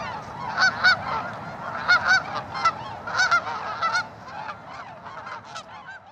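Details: Tundra swans near Mississauga, Ontario, Canada, on March 16, 2013, with geese and ducks nearby; loud paired, hooting honks stand out in quick doubles over a constant chatter of distant calling birds.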